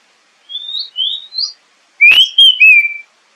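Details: Oriental magpie-robin lure song: three gently rising whistled notes, then after a click a loud phrase of slurred whistles with a falling end.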